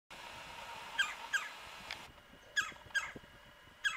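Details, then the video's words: A woodpecker, which the recordist suspects is a Red-bellied Woodpecker, calls loudly from a tree about 45 yards away at about 9 am in mid-January at -9°F: sharp, harsh, slightly falling notes, singly or in quick pairs, about a second apart, over faint hiss. "Woodpecker Calling"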